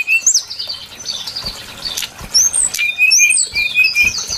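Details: Brown-chested jungle flycatcher song played as a trapping lure: soft, muffled warbling at first, then clearer high whistles and short slurred notes repeated at irregular intervals.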